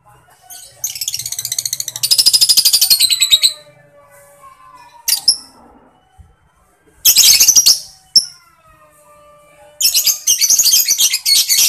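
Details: Lovebird ngekek chatter in three bursts: long rattling runs of fast, shrill pulses, separated by a few short high chips and quiet gaps.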